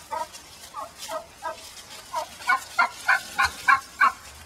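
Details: Laying domestic hen, angry after being put back into the big pen where other hens had almost killed her, inside a chicken-wire pen: rapid series of about twelve nasal, turkey-like squawks, softer at first, then louder and sharper, roughly three per second.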